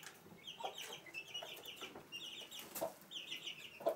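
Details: Chicks cheep in high, slurred bursts nearly nonstop beside their mother hen in a room of a house at Sandoval de la Reina, April 2016; she adds a couple of brief, low clucks.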